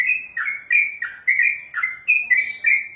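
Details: Three seconds of ropelan song from a contest-trained trucukan, the sooty-headed bulbul: bright, ringing whistled notes sliding down and up, linked closely in fast, fluent succession.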